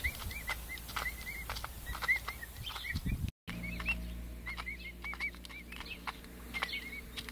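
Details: Pet emu chicks at five weeks make soft whistled peeps at irregular intervals. Clicks are heard, the sound cuts out briefly midway, and a low humming drone follows.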